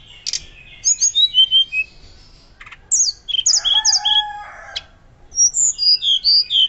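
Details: Loud fluting Hill blue flycatcher song meant to coax and teach other birds: quick chirps, a mixed burst of high and lower whistled notes, then a steady series of bright looping whistles.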